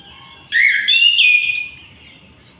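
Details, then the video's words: Sunda white-eye in full song day and night, giving a brief run of high whistled notes that shift up and down in pitch, ending on a thin higher whistle before fading. "Anis kembang gacor siang malam"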